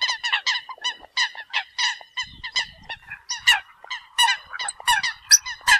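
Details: Eurasian coots calling to the flock: loud, nasal, honking calls in a rapid, uneven series, several notes a second, with no other sounds standing out.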